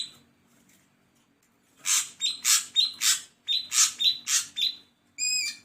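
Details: Ashy drongo producing a rapid run of harsh, grating notes, each followed by a short whistled tag, ending in a clear, tonal whistled note with ringing overtones.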